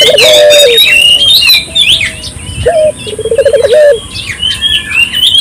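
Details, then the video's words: Turtle dove in full, steady calling, used to lure local doves into singing: one smooth low coo, then after a pause a sharp note and quick rolling trill, amid loud high-pitched chirps and whistles from other birds. "suara burung puter gacor"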